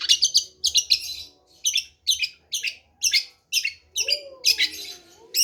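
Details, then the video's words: Long-tailed shrike song made of harsh, buzzy, scratchy notes delivered in short bursts roughly twice a second, some doubled, with brief pauses between groups and a faint lower tonal sound near the end. "Kicau Burung Centet Pastol"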